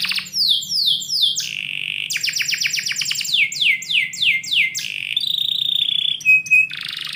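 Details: Canary singing indoors in the morning, a fast varied song of high descending sweeps repeated in quick series, rapid trills and buzzy rolls, ending in steady piping notes, with a low hum underneath.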